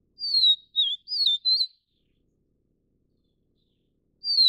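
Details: Vivid niltava (Niltava vivida vivida, Taiwan) feeding its young: a clean phrase of four slurred high whistles, then a long pause before a fresh phrase begins. No other sounds are heard.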